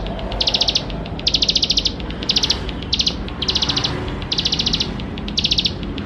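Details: Vigorously singing plain prinia, played to coax young birds into singing sooner; short dense bursts of fast, buzzy high trills, each under half a second, repeated about once per second, with a faint low background rumble.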